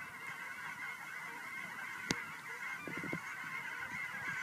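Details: Geese arriving home at Fern Ridge, March 4, 2012: a distant flock keeps up a continuous murmuring chorus of honks, broken once by a sharp click and a short burst of closer, lower calls.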